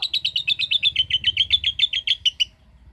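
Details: Lovebird singing a brief 'ngekek' burst: about two and a half seconds of quick, evenly spaced shrill chattering notes that then stop abruptly.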